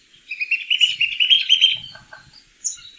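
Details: Pygmy Nuthatch in the canopy, among winter birds of the Mendocino Coast, gives a fast, high-pitched twittering run of piping chirps for about a second and a half, then a few lower, scattered notes.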